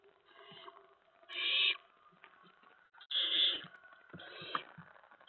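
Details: Owlets in a nest at about 2 AM, 10 September 2017, during mouse deliveries and pouncing; soft rasping hisses rise to two loud screechy bursts, with scuffling and tapping sounds in between.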